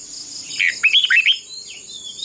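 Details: Red-whiskered bulbul used as a decoy for voice training, singing a contest song: a short jumble of slurred, warbling whistles lasting under a second, over a continuous shrill background whine.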